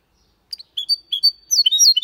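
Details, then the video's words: Clean, error-free Malaga-style song from a goldfinch and canary hybrid: after a short silence, a few spaced high chirps and a long thin whistle build into quick, bright twittering notes. "Mixto de Jilguero Cantando Limpio"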